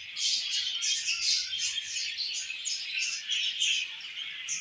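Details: Captive budgies, a mother budgerigar feeding her chick; steady high-pitched chattering and chirping, many quick overlapping notes forming a continuous warble.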